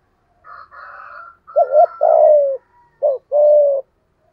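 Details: Decoy spotted dove with a 'thổ' style voice, calling to attract wild doves: deep double coos each trailed by a drawn-out descending coo, preceded by fainter, higher, buzzy notes from another bird.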